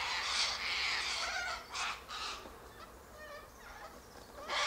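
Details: Sulphur-crested cockatoos gathered high in a silky oak tree, eating seeds from its pods; harsh, broadband screeches sound loudly at the start, then fade into softer rasping calls, with a person's voice nearby.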